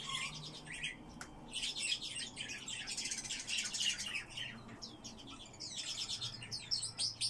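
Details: Kept Eurasian blackcap singing a fast, varied warble of high twittering and chattering phrases, with quick trills and scratchy notes running almost without pause; a faint low hum sits underneath.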